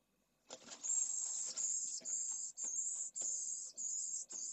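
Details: Pallid swifts at a breeding colony in a school in Jerez de la Frontera, Spain, in stifling heat above 45°C, where a chick begs for food at a nest: high, thin buzzy notes in repeated half-second bursts, with scratchy clattering clicks beneath.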